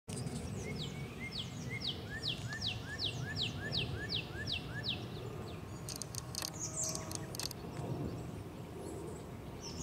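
Eastern towhee gives a run of about ten high, quick down-slurred notes, roughly three a second, over steady low rumbling background noise with a few scratchy clicks afterward.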